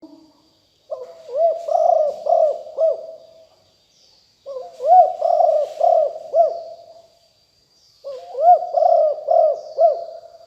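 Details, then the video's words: Spotted dove of a fierce strain called Liu Tan, recorded in 2021 as a lure call for wild doves. Three cooing phrases of about five throaty coos each, separated by short silences, with a faint steady high hiss. "นกเขาใหญ่คับ หลิ่วตันสายพันธุ์ดุ#9 ครบเครื่องเสียงต่อนกเขาใหญ่2564"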